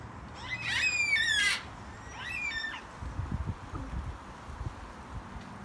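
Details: Yellow-tailed black cockatoos in a backyard giving a long wailing, harsh drawn-out screech followed by a shorter second screech, then quieter rustling and low background noise.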